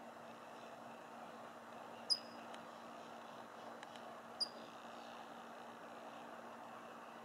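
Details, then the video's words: California towhee filmed near the Suisun marsh in Fairfield, California, on a Panasonic V500 camcorder: two sharp, high metallic chip notes about two seconds apart, each dropping slightly in pitch, over a steady low hum and background hiss. "California Towhee"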